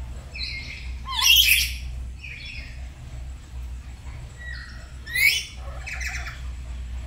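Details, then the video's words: Two pet black-capped lories at home, singing in duet one morning while practising 'gacor' song: loud harsh squawks in bursts about four seconds apart, mixed with shorter whistled and buzzy notes, over a low background hum. "Belajar Gacor pagi pagi | Duet Nuri Kepala Hitam"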